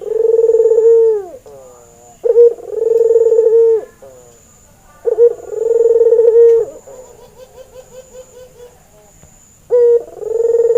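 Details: Red-eyed white albino male Barbary dove, breeding condition, calling as a training lure: deep purring coos opening with a brief accented note, then a sustained rolling tone, with a softer trailing roll between calls.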